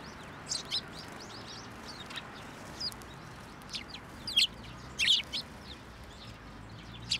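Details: Sparrows gathering for food on a pillar at a Tenmangu shrine, 1 January 2024; sparse, thin chirps at irregular intervals, two louder sharp notes near the middle, over a low steady background hum.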